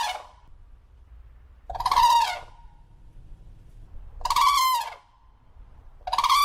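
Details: Crane calls as three loud, hoarse, harmonic blasts about two seconds apart, each lasting under a second, over a low background rumble.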